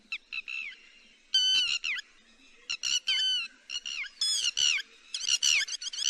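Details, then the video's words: Yellow-billed lapwing calls played to lure birds into nets: sharp, piercing harmonic notes in clustered bursts, several ending in downward slurs, growing busier and denser toward the end. "Tiếng chim te te mỏ vàng cực nhậy .đánh lưới chuẩn nhất"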